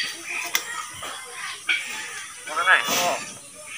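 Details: Common hill myna imitates human speech ("open the door" in Bengali, and other words), repeating a short phrase in a nasal, voice-like tone, with faint clicks and room noise.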